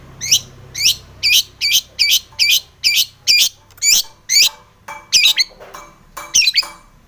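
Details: Long-tailed shrike song aimed at provoking other shrikes: harsh, buzzy high notes repeated about every half second in an even, insistent rhythm.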